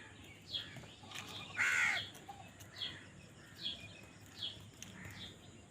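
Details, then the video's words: Crows squabbling over food. One loud, rasping caw comes near the start, then a run of shorter, thinner caws repeats about every 0.8 seconds, with other birds twittering behind. "কাকের ডাক Crow Sound Crow ki Awaz Loudly | Crow bird Fight for Food"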